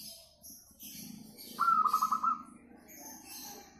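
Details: Local zebra dove with a very melodious voice, used as a singing lure: a brief burst of about six quick stuttered coos after a clear opening note, with low murmuring and faint high chirps behind.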